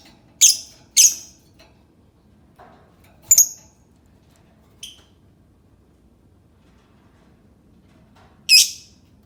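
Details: Two quick piercing lovebird squeaks open the sequence, then spaced single shrill notes and a soft short chirp, with long quiet gaps between calls.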